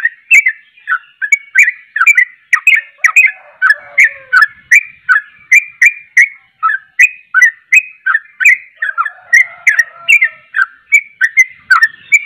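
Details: Sooty-headed bulbul in full, lively song meant to excite other bulbuls: a rapid, steady stream of short bubbly whistled notes, each dropping in pitch, packed about three or four per second, clear and loud with no other sounds.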